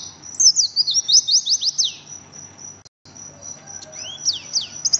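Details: Oriental white-eye's rapid ngriwik song: a busy stream of shrill, falling twitters, a brief silent gap, then renewed high chattering notes over a faint continuous whine.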